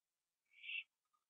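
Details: Owl on a porch at 11:15 PM, 21 September 2011, after eating a gopher: one rasping, breathy screech swelling to a peak and cutting off after about half a second, followed by a faint tick.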